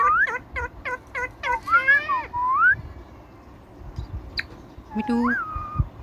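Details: Indian ringneck parakeet mimicking speech, giving a rapid series of short rising whistled syllables, then longer warbled, speech-like phrases with a rising whistle, a pause, and a final rising-falling whistled word.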